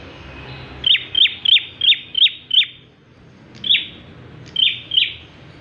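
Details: Bar-winged prinia song for luring other birds: a rapid even run of six high chipping notes, a pause, then three more spaced chips, crisp and ringing against quiet background.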